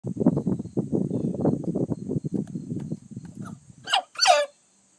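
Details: Adult Wheaten Ameraucana cockerel sneezing; the rooster later proved to have pneumonia caused by the mould Aspergillus fumigatus. Low, rapid murmuring pulses run for several seconds, then two sharp, broadband sneezes burst out close together near the end.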